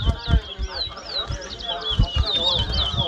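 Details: Towa towa (chestnut-bellied seed finch) at a 2022 bird whistling competition at Mahaica, Guyana: repeated high, clear whistled slurs over steady crowd talk and low thumps.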